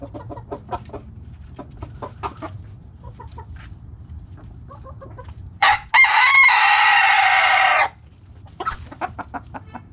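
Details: Backyard chickens: soft, short hen clucks spaced irregularly, then a loud rooster crow of about two seconds, a harsh harmonic cry with a brief rising start and a long sustained tail, followed by more scattered clucking.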